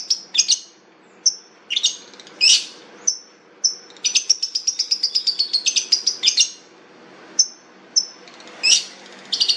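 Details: Long-tailed shrike song of high, sharp chirps and short whistles, broken by loud scratchy bursts and a fast stuttering series of clipped notes in the middle.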